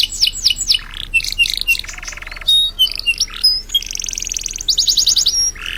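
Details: Canary in lively 'gacor' song, used as a master song for training other birds: quick downward-sweeping whistles, then a buzzy rattling trill, clipped chirps and a bright rapid trill near the end.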